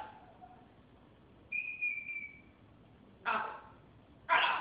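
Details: Talking military macaw: a faint low note, then a steady whistled tone lasting about a second, followed by two loud, harsh broadband squawk-like bursts spaced about a second apart.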